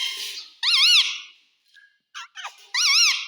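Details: Pet parrot kept indoors mimicking family words such as "mummy" and "papa": two loud, high, wavering squeaky calls with a rippling tone, separated by a brief quiet gap holding a few short clicks.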